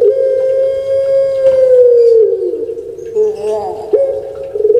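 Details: Puter pelung dove kept in Indonesia delivers a long steady coo that slides lower after two seconds into a rougher note, followed by brief wavering sounds and a new onset.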